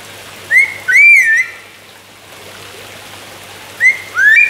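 Palm cockatoo giving two pairs of clear mid-pitched whistles, each a short upslur followed by a longer wavering note, over a faint steady hum.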